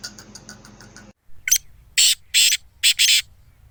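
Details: Sindhi black francolin, a bird offered for sale and said to call all day: loud, harsh, rasping notes in a quick uneven series after a faint buzzy lead-in, with a low background hum.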